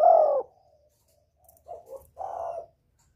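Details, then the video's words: Spotted dove lure call meant to draw in a male: one strong, rich coo opening, followed after a pause by soft, low, broken cooing notes. "Tiếng chim cu gáy gọi kích bổi, gọi trống"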